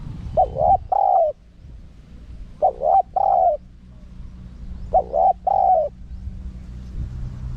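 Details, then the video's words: Spotted dove, small voice, giving wild-style coo phrases meant for luring wild birds. Three evenly spaced phrases, each a short note and two longer, slightly falling hollow coos, roughly every two seconds over a steady low hum. "เสียงนกเขาใหญ่ คารมป่า (เสียงเล็ก) มีขัด มีหนุน คูอ่าง ใช้สำหรับเปิดต่อ ยั่วนกป่าเข้าร่วมเร็ว"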